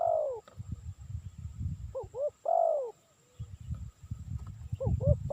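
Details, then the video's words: Spotted dove calling, a sound used to lure birds: repeated phrases of two quick hooting notes leading into a long, slurred, descending coo, set over a steady low rumbling background. "Suara Burung Tekukur Cocok Untuk Mikat"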